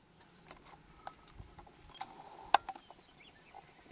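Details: A displaying male sage-grouse near a traditional lek in eastern Montana in the early morning gives soft wing swishes, a brief low whistle, then one sharp popping burst from its air sacs, over a faint steady hiss.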